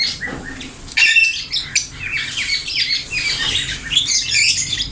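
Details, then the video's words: Ring-necked parakeet, a green parrot, talking in its natural voice: sharp squawks and quick descending chirps in irregular bursts, with a brief pause before a loud harsh call and ongoing high chatter. "green parrot talking ||parrot natural voice"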